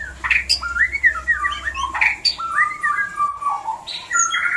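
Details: White-rumped shama song meant to trigger mating: varied rich whistled phrases that rise and fall, mixed with sharp clicks and short chirps.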